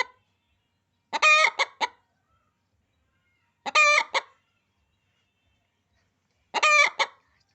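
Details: Hen clucking: three separate bursts of harsh, rapid clucks, each about a second long and roughly every two and a half to three seconds, with quiet between bursts.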